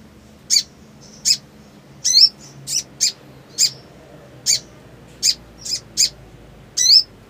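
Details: Black sunbird singing in breeding mood: sharp, very high chips and short twittering notes, spaced irregularly about one every half to one second, with some notes doubled, over a quiet background.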